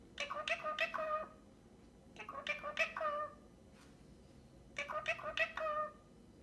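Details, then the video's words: An Indian ringneck parakeet, a young male about a year and a half old, talks to his toy duck in a quiet room at home in Portland, Oregon. He gives three quick, high, nasal, speech-like phrases of four or five syllables each, about two seconds apart, saying "tickle tickle tickle it's ok" while giving the duck kisses. "parrot talking to his duck"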